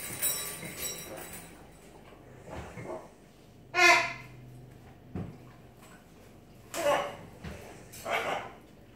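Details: Pet macaw in a small indoor room making short, raspy squawks spaced a few seconds apart, one loud harsh burst midway and two more near the end, with faint background noise between.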